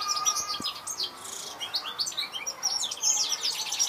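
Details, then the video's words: Continuous bright twittering from a European goldfinch, mixing quick chirps, slurred whistles and short rattling trills at a steady level, with a couple of faint clicks at the start. "Saka Kuşu Ötüşü"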